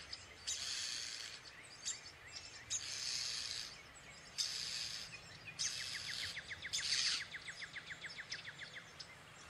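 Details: European starling (Sturnus vulgaris) at its nest while feeding babies gives several harsh, hissing bursts about a second long in a row, then rapid dry clicking rattles.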